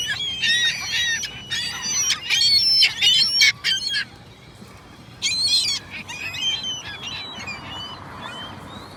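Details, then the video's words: Gulls calling in a noisy crowd: overlapping harsh, wavering cries pile up in bursts for four seconds, pause briefly, then resume more sparsely with scattered squealing notes. "Seagull noises"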